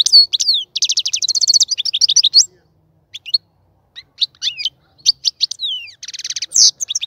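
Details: Caged European goldfinch, breeding cage in preparation, pours out rapid buzzy trills and chirps, pauses with scattered single notes, then ends with another dense trill and twitters.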